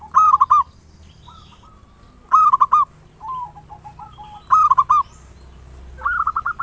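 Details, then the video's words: Local zebra dove ngayer nulop song, used as a lure to provoke singing: loud stuttering cooing phrases repeated about every two seconds, separated by softer, lower rolling notes. "Perkutut lokal PANCINGAN SUARA NGAYER NULOP"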